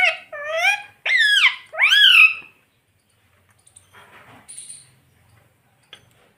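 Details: Ringneck parrot kept as a pet, talking "Mummy Papa": four loud, nasal, word-like syllables rising and falling in pitch, followed by faint rustling, clicks and a brief high squeak.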